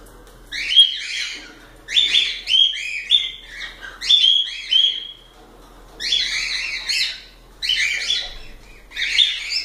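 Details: Pet cockatiels in a busy bout of rapid, scratchy, whistled chirps in clustered bursts, with quieter stretches between the loud outbursts.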